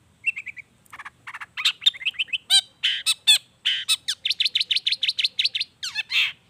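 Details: Long-tailed shrike singing a busy medley with natural mimicked fill-ins, played to prompt lazy shrikes to join in: soft trills give way to a dense run of harsh, buzzy and ringing chattered notes with barely a break.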